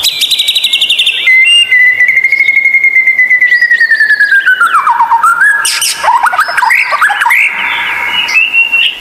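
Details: White-rumped shama training song with strange sounds, for therapy of captive birds reluctant to sing: a long sustained whistle slowly sinking in pitch, followed by stepped tones and a harsh rattling burst.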